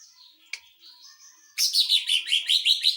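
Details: Greater green leafbird in a 'tembakan mesin jahit' (sewing-machine burst) song, used to train and rouse other birds: a soft thin whistle with a click, then a loud, rapid, buzzy chattering burst.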